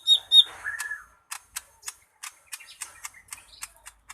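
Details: Lesser green leafbird song opening with two loud high whistled notes and a lower slurred phrase, then a steady series of quick dry ticking chirps, about four per second.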